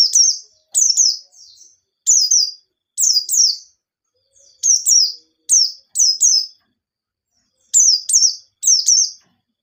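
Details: White-eye singing in a lively wild style with sharp notes, used as a lure to get untrained birds singing: high, thin, descending chirps in pairs and short bursts, separated by brief silences, with no other sounds.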